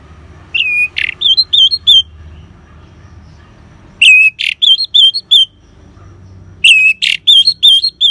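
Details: Orange-headed thrush ngeban song, played as a lure to stimulate caged birds to sing: a loud rising whistle, a harsh burst, then four quick warbled whistles, the same phrase repeated three times about every three seconds over faint low hum.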